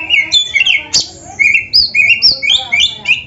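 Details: Oriental magpie-robin in a training recording of rich, varied song: continuous whistled slurs and chirps, some swooping up and others dropping, with a few sharp clicks mixed in and barely any pause.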